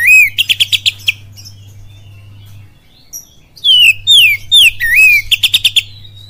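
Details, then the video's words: Kacer (oriental magpie-robin) singing a kapas tembak-style pancingan lure song from Cililin: a rapid stuttering string of sharp notes, a quiet gap, then bright descending whistles, one upswept phrase and another quick clipped series, over a constant low hum. "SUARA PANCINGAN KACER FULL KAPAS TEMBAK CILILIN DAHSYAT"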